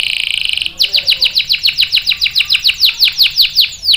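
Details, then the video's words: Canary song: a buzzy high trill gives way to a steady run of sweeping downslurred notes, about five per second, for three seconds. "KENARI GACOR NGEROL panjang bagus untuk PANCINGAN dan MASTERAN paud | CANARY SINGING"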